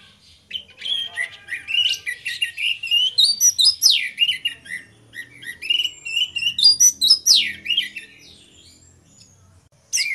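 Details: Orange-headed thrush song from a pair of birds, a long continuous flow of slurred rising and falling whistles and chattering notes, loud and unbroken for about seven seconds before stopping.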